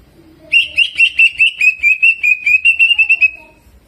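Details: Greater green leafbird singing jamtrok style with prinia mimicry and rolls: after a quiet start, a fast run of about a dozen bright, evenly spaced whistled notes, rolling and slightly falling, fading out near the end.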